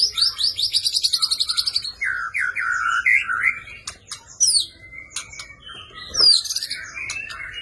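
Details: Champion white-rumped shama in energetic fighting song with 'isian' phrases for training: a fast pulsing high trill, then wavering mid whistles, sharp clicks and a bright upslurred note, over a low hum.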